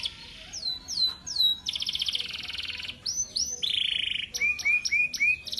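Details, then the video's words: Champion male canary singing energetically: looping whistled slurs, a long buzzing rattle, a low buzzy held phrase, then a quick series of short upward-hooked notes repeated four times. "burung kenari jantan gacor juara umum lomba"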